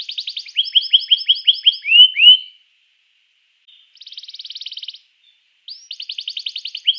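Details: Singing canary meant to get rival canaries going: rapid doubled chirps, two loud downslurred whistles, a pause, a dense buzzing trill, then another run of quick repeated notes.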